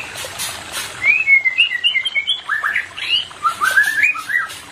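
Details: White-rumped shama song played to bring a mated pair into breeding condition: clear fluting whistles in quick varied phrases, rising and falling slurs at mid to high pitch, several notes per second, over light background noise.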